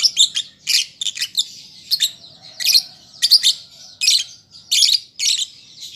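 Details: Piercing, raspy chirp bursts from a juvenile lovebird practising song, repeated at uneven intervals, some bursts doubled or tripled, over faint background hiss.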